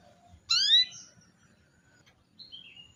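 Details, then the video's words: A single loud upward-sweeping harmonic chirp from a female canary calling to start a male singing, followed by a soft whistled note and a few faint falling chirps. "suara kenari betina memancing kenari jantan supaya gacorrr"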